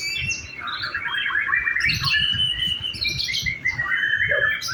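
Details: Simulated contest singing by a white-rumped shama: rapid chattering and whistled phrases at about three notes a second, with low background rumble throughout.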